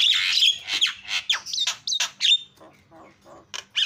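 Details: Javan myna lure call for provoking other mynas: opening harsh rasping squawk followed by quick descending scratchy notes and a thin whistle, fading to softer chatter.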